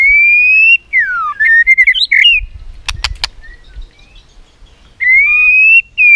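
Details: White-rumped shama in competitive singing, repeating tak clicks and flicking its tail, used to rouse other shamas: long clear rising whistles near the start and end, a burst of quick slurred notes between, and three sharp clicks.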